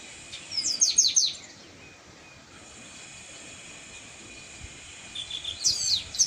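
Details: Chestnut-capped blackbird song outdoors in nature: a burst of sharp, high falling chirps near one second, a quiet stretch, then more high chirped notes toward the end over a faint steady hiss.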